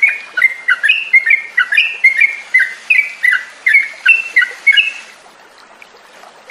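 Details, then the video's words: Trucukan, the Yellow-vented bulbul, in a lure song meant to prompt caged birds into full ngropel singing. Rapid chain of liquid, warbled notes for about five seconds, then quiet with a faint note at the end. "SUARA PANCINGAN TRUCUKAN AGAR BUNYI DAN NGROPEL"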